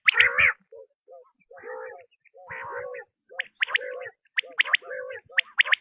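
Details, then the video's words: Quail call: short nasal, harmonic notes near low pitch come in bursts with gaps, then sharp high clipped chirps cluster toward the end; no other sounds. "بٹیر کی آزمائی ہوئی آواز ۔ | Quail Tested Sound | Batair ki Awaz"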